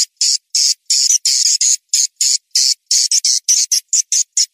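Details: Lure sound for attracting swiftlets: a string of separate, shrill buzzy chirps, each under half a second, repeated roughly three times per second in an uneven rhythm, with nothing else audible.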